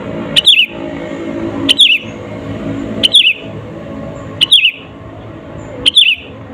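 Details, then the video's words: Energetic sooty-headed bulbul song played to rile up rival birds: five brief, clear whistled phrases that dip and twist downward, spaced about every one and a half seconds against faint low rumble. "SUARA BURUNG KUTILANG GACOR ASLI TAMPA ISIAN..,!!!pancinga kutilang bikin lawan emosi..."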